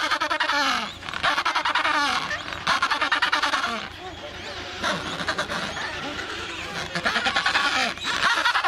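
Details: Adélie penguins at a breeding colony of 150,000 pairs on Paulet Island, Antarctica, 1 February 2019: dense overlapping harsh, braying and throbbing calls from many birds, continuous and loud.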